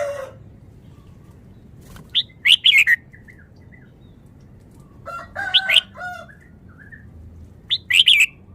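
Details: Red-whiskered bulbul, called a Vietnamese bird, singing fast: three bright rolling warbled phrases, each with a short lead-in note, plus some lower nasal notes in the middle, over quiet background.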